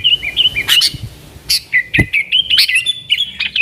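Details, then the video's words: Sooty-headed bulbul in energetic nggaruda song, used to call in wild bulbuls; short fluty whistles and slurred notes, several sharp high chips, and one low thump in between. "TRUCUKAN GACOR Nggaruda Super Ampuh Untuk Suara Panggilan Burung Kutilang Liar"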